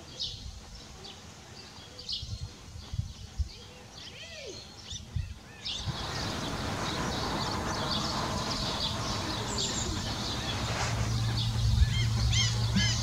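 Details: Fledgling Iberian magpies (Cyanopica cooki), fallen from the nest to the ground, give short, rapid chirps, a couple each second, rising to a steady alarmed chatter; adults come to help, older chicks beg for food; loud outdoor noise.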